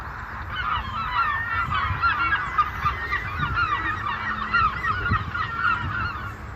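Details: Seagulls calling over the ocean, a dense chorus of overlapping mewing, arched cries repeated rapidly by many birds, with a steady wash of surf and low rumble beneath.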